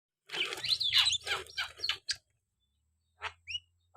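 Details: Javan myna singing in full voice: a dense run of harsh, scratchy chatter and squeaky notes over about two seconds, then two short isolated chirps after a pause, with a low hum beneath.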